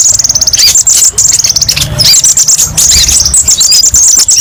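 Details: Konin delivering rapid, stuttering strings of very high ticking notes in quick bursts, like a fast rattle of tiny chirps, varied 'tembakan' phrases for training other birds, faint low hum behind.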